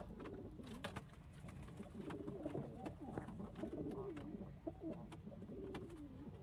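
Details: Domestic pigeons from a loft with local, Indian, Chinese and homing birds: rhythmic deep coos, rising and falling, repeated steadily throughout, with scattered taps and scuffling.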